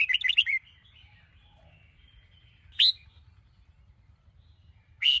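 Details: Red-whiskered bulbul of the Sông Kôn singing style, morning song used for training caged birds: a quick burst of four bright chirps, then two single sharp notes about two seconds apart, with a faint low hum beneath.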